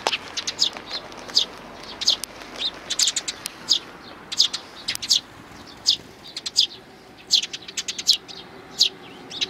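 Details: Sparrows with nestlings, recorded 8 May 2019: dense, repeated high chirps, short and sharp, coming in irregular bursts of several notes, with some overlapping calls from more than one bird.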